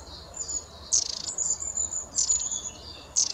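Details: Long-tailed tits in autumn or winter give very high, thin, drawn-out calls broken by short, rough, buzzy bursts about once a second.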